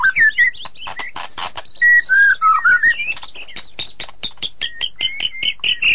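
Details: White-rumped shama song: clear whistled notes sliding downward, interspersed with dense rapid clicks and chips, then a sequence of short high whistles repeated at a quick pace toward the end.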